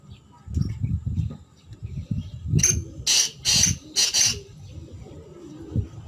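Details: A black francolin gives one harsh phrase of four rasping, scratchy notes in quick succession, set against low murmuring background noise.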